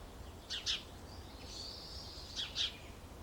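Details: Short-toed treecreeper pair lining their nest box with pine needles and twigs in Aleppo pine woodland with kermes oak and mastic near citrus groves, Alzira, Valencia, 24 February 2016: sharp, high paired notes twice, thin thread-like whistle between, faint low rumble.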